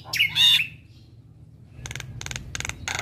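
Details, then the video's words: Javan myna in a tutor recording for training young birds, played every morning: a loud twisting whistle, a pause, then four harsh buzzy bursts spaced about a quarter second apart over a low background hum. "Masteran Jalak kebo Super Gacor"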